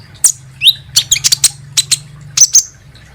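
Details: Kolibri ninja sunbird lure sound for making birds sing: scattered high, sharp chirps and squeaky tweets in irregular short groups.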